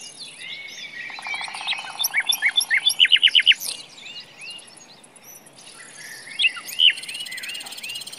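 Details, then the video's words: Forest song of a common nightingale: a buzzy low rattle, then a run of loud, sharp repeated notes climbing in strength, followed by quieter scattered phrases among other distant singing birds. "The sound of a nightingale in the forest"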